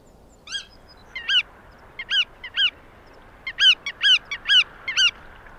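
A Black-tailed Godwit gives nasal, harmonic-rich calls, single and paired notes about twice a second, over a faint steady background hiss.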